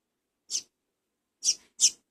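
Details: A Double-collared Seedeater chick from the owner's first brood, being hand-fed, gives three short, high, hissing squeaks: one, then a close pair about a second later. Otherwise quiet.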